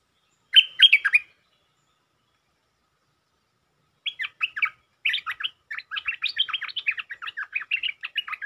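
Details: Territorial stripe-throated bulbul, stirred up as the local resident, sings pure sab-rik phrases: one short chattering burst, a silent gap of about three seconds, then a long, fast stream of warbled, jerky notes to the end.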